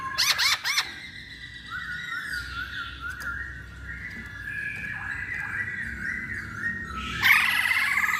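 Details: Lure song of a masked laughingthrush to provoke singing in other birds: a few harsh chattering notes, then a long quieter passage of wavering whistles, ending in a sudden loud burst of harsh chatter.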